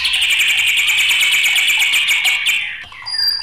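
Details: Agitated white-rumped shama pouring out a fast, steady trill of rapid repeated notes at one pitch for over two seconds, ending in a short sharp note.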